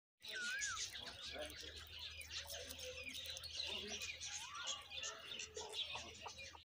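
Myna chicks keep up a dense, raspy chatter of high, harsh notes, with a few rising whistled notes and a low steady hum underneath.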